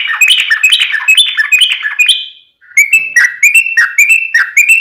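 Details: Long 'ropel' song of a sooty-headed bulbul (trucukan), played as a lure to get other bulbuls to answer: a fast run of bubbly chattering notes, a brief gap, then a string of short rising whistled phrases repeated about every quarter second.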